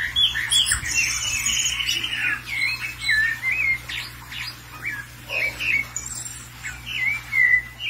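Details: Thrush (sabiá) calling excitedly after seeing another bird loose: repeated short squawky chirps and slurred whistles, in bursts roughly every second, over a low steady hum.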